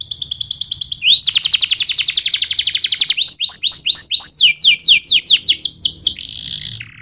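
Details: Singing canary delivers a high rattling trill, a louder buzzing roll, then repeated sweeping whistles about four a second, ending on a short buzzy note.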